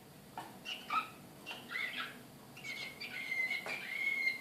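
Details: Excited Srpski slavujar canary, Belgrade, 2014: scattered chips and warbled notes building into a longer stretch of clear, level whistled tones broken by short accents, with low room hiss behind.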